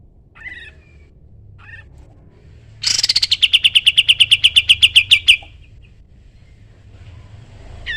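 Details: Vigorous sooty-headed bulbul song meant for tutoring other songbirds: two soft chirps, then a loud trill of around twenty crisp notes, slightly descending and slowing over two and a half seconds before fading.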